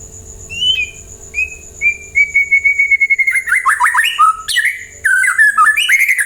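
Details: White-rumped shama singing as a lure to prompt other birds to answer: soft short whistles build into a long level whistle, then a rapid run of sharp descending chips and rich varied phrases, fast and energetic, faint steady hum behind.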